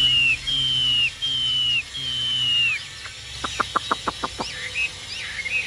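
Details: Chinese hwamei held in a cage by a bird keeper, singing long, clear, slightly falling whistles, followed by a quick burst of dry clicking notes and a few short high whistles.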